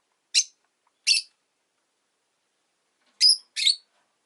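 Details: Rosy-faced lovebirds, five in a cage beside a window in the afternoon, calling with short piercing chirps: two spaced notes, a long silence, then a quick pair.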